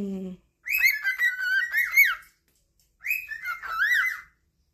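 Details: Captive cockatiels in a small room singing in chorus, competing to please their owner: two bursts of rich, wavering whistles with rising and falling slurs, separated by a brief pause, after a low note at the start.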